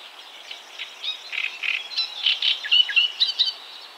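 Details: Great reed warbler singing at 52.06 N, 20.20 E, a steady rapid stream of harsh, grating and creaky notes mixed with squeaky chirps, several notes per second without pause, against quiet background hiss.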